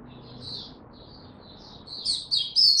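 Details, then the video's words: Oriental white-eye recorded on 25 January 2022 after sleeping late, starting faint with thin high chirps, then breaking into louder, sharp, high-pitched twittering notes in the final second. "Mata Puteh Hercules V2 buka tiong aw sing"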